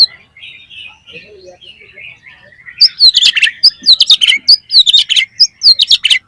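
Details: Oriental magpie-robin lure song, loud and unbroken, played to make other magpie-robins sing their repertoire; quiet warbled phrasing turns after three seconds into vigorous, rapid high chirps, whistles and trills.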